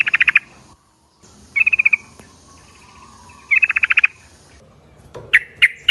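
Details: Yellow-vented bulbul lure call meant to set flocks of bulbuls answering: three bursts of rapid, bubbly chattering notes, each under half a second, separated by quiet gaps, with a lower brief sound near the end.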